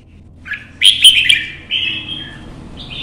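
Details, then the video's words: Red-whiskered bulbul, a caged Vietnamese competition singer, in early sun while hopping perch to perch: a short rising note, then a loud, bright, chattering warble trailing into a drawn whistle, followed by a higher closing note. "CHÀO MÀO | Nắng sớm solo chạy cầu hót đấu kích chim"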